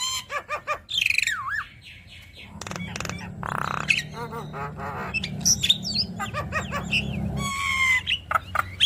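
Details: Jalak kebo (Javan myna) singing a busy isian-filled ocehan to stir other mynas: swooping whistles, a buzzy rasp near three and a half seconds, scattered clicks and chirps over a low hum.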